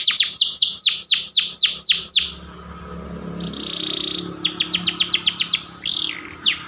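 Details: White panda canary song opening with a fast series of falling whistled notes, then a quieter buzzy trill, a brief run of rapid chips and a single swept note over a low background hum.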